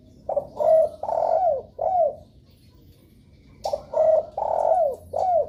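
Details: Spotted dove lure call intended to prompt other doves to answer: two burry coo phrases, each with short lead-in notes and long vibrating coos ending in downward slurs, split by a quiet pause.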